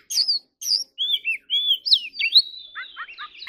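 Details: Oriental magpie-robin in competitive singing, giving high sweet whistled phrases, then rising and falling slurs and a long level whistle, ending in quick chattering notes; clean recording with nothing else audible.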